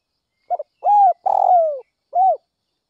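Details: At early morning a spotted dove from north-western Vietnam, kept as a lure bird, gives a full phrase: a short double note, a clear coo, a long harsh downslurred coo and a final clear coo.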